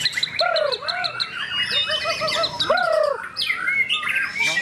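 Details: White-rumped shama song: loud, clear whistled notes that arch up and then fall, given in short repeated phrases. Higher, faster chirps and thin trills overlap and crowd together near the end.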